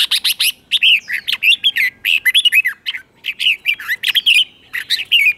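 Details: Continuous bright chattering and whistled phrases of red-whiskered bulbul doubled song, played for young birds to copy, packed closely with scarcely any pause, perhaps several birds together.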